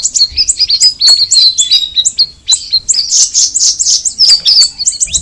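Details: Cucak rawis (straw-headed bulbul) singing: a fast run of high, sharp chirps and short whistled slurs, about four notes a second, dense and continuous with brief gaps.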